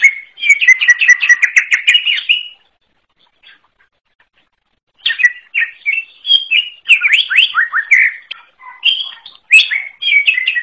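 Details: Greater green leafbird from the forest in unique song. A fast trilled chatter is followed by two seconds of quiet, then varied whistles and down-slurred notes. Nothing else can be heard.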